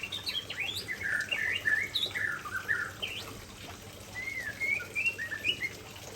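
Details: Murai Aceh white-rumped shama delivering its signature fill phrases: a run of varied whistled notes, slurred up and down, loud early and then softer, ending in rising whistles.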